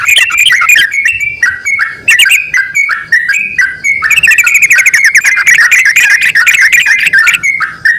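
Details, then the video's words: A male and a female yellow-vented bulbul call back and forth in quick whistled phrases that rise and drop, then break into dense rapid chatter for the last half, loud and close. "BURUNG TRUCUKAN JANTAN DAN BETINA SALING BERSAUTAN"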